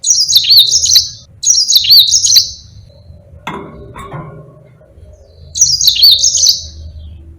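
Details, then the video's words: Yellow-fronted canary performing a lively long-rolling song for teaching other birds: two quick high trilled bursts, a brief rustling noise, then another bright phrase after a pause. "Burung Mozambique GACOR NGEROL PANJANG"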